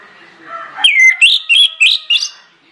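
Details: ['Orange-headed thrush singing persistently as a lure for other birds: after a faint background, a short loud phrase of five clear whistled notes.']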